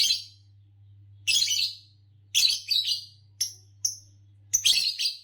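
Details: Green Fischer's lovebird, the green type said to win Indonesian bird song competitions, delivering a busy run of harsh rasping chirps and brief high piping notes, about one every second, above a steady low hum.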